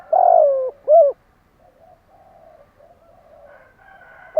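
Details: Tail of a spotted dove's morning cooing phrase: a long rough coo sliding downward, then one short rounded coo. Quiet, faint bird twitters follow, with a new note starting at the very end.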